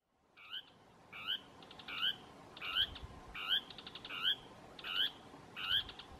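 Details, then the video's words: Dusky Tapaculo (Scytalopus fuscus) gives its typical song, a steady series of short, harsh, slurred notes, each with a quick stuttering rattle, a little more than one per second. Recorded on Isla de Yáquil, Santa Cruz, O'Higgins Region. "Churrín del Norte (Scytalopus fuscus)"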